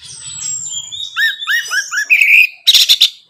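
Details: Orange-headed thrush song played to spur a captive bird: a thin, long whistle, then a run of repeated down-slurred whistled notes and a closing burst of harsh, chattering notes.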